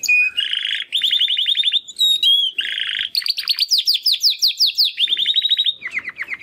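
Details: One of two young Timbrado canary brothers from the second 2020 breeding, singing after first molt: rolled buzzy trills, a short whistle, then long series of rapid descending chirps and another trill.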